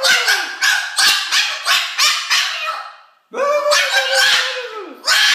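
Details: Talkative female Moluccan cockatoo kept as a pet, talking to a person seated on the couch: a fast series of about eight clipped raspy syllables, a pause, then one long wavering harmonic utterance.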